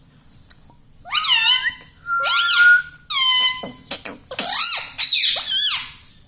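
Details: Pet talking parrot at home: a series of loud, harmonic, bending vocal phrases, some rising then falling, one held as a flat steady tone, with short gaps between bursts and a faint low hum underneath.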